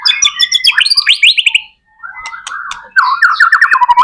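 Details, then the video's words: White-rumped shama in full gacor song, used as a lure to trigger other shamas: rapid ringing whistles and buzzy trills in bursts, a brief pause, then fast descending warbled notes. "MURAI BATU GACOR AMPUH BUAT PANCINGAN MURAI BATU AGAR CEPAT BUNYI JADIKAN BURUNG MURAI GACOR"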